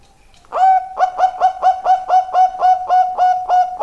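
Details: After half a second of near silence, a zebra dove, described as a keen singer, launches into a lively, regular series of short, soft coos, around four per second, continuing to the end.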